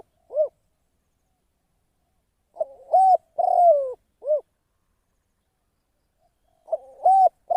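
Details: Trapping decoy spotted dove repeats its cooing phrase twice about four seconds apart: a brief stuttered start, a firm coo and a long descending note, each round closed by a separate short coo; otherwise silent.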